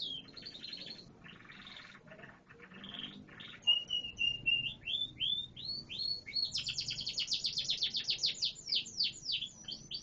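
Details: Singing canary: soft rattling phrases open into a steady run of rising whistled notes, then a loud rapid trill of sharp repeated notes, about four per second.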